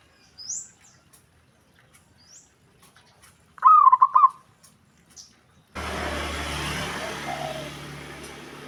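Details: Zebra dove calling, with other doves said to respond at once: one short, rolling, warbled coo phrase midway, preceded by faint scattered high chirps and followed by steady broadband rushing noise for the final third.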